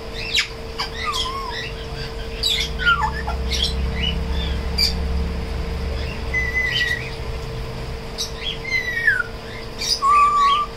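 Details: Tame African grey parrot producing scattered whistles, short squawky notes and clicks, with slurred whistled phrases around seven, nine and ten seconds over a steady indoor hum.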